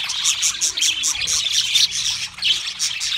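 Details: Several pet budgerigars singing: a dense, continuous chattering warble of fast chirps and scratchy notes that pulses in short bursts about three times a second.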